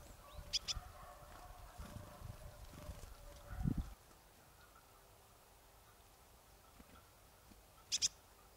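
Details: Marsh tit recorded in Kawęczyn, Nowy Korczyn area, Poland, giving two brief clusters of high, sharp notes, one early and one near the end, with low thuds and rustling in between.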